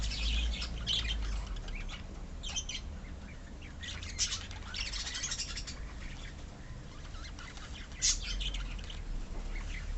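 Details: Budgerigars in a colony of pet birds, giving sharp, high chirps and squawks in scattered bursts, several overlapping, with louder calls near four and eight seconds over a steady low rumble of background noise.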